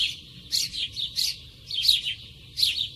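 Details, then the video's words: Close, natural recording of a sparrow: loud, clipped chirps and short chirrups, some doubled, spaced irregularly over a quiet low background rumble. "Sparrow sound"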